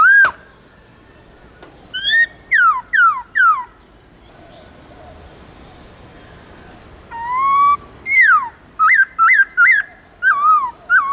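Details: Wild-style song of a white-cheeked laughingthrush from the Central Highlands of Vietnam, used to train captive birds: bursts of sharp, descending whistles and looping notes separated by a few seconds of quiet, then a rapid run of repeated whistled phrases.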